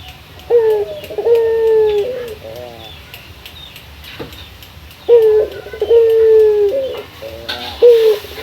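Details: Calling a rival, a male local Barbary dove gives two bouts of deep, sustained coos with short rolling stutters after them, set against quiet room background.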